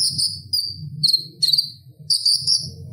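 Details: Song of a Purple-throated sunbird, or konin, used to teach kolibri ninja: piercing high tones, some drawn out and some stuttered, in quick phrases over a low background hum.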